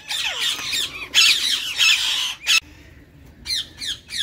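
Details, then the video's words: A colony of green Indian ringneck parakeets produces a dense, continuous wash of harsh squawking, a brief pause, then three evenly spaced screechy calls. "Ringneck Parrot Sound | Green Ringneck Parrot Colony"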